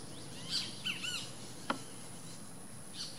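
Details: Least grebe (Tachybaptus dominicus) at its nest giving a few high, thin chirps and short downslurred whistles over about three seconds, with one sharp click and a faint steady hiss behind.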